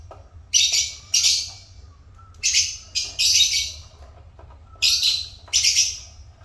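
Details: Pet African lovebirds chirping in loud, harsh, buzzy bursts, often paired, separated by brief silences, over a faint low hum.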